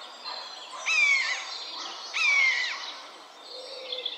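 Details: Two clear mewing cries from a common buzzard about a second and a half apart, each a thin, downward-slurred whistle with a harsh overtone, followed by faint twittering from other birds.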